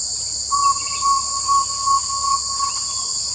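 Jungle owlet giving a steady mid-pitched series of hollow notes, pulsing about twice a second, over a constant high-pitched insect drone.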